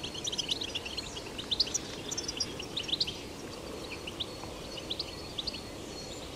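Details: Wild goldfinch in nature delivering betbeta song, rapid thin chirps and twittered phrases in loose clusters, fading toward the end, against a steady rushing ambient noise.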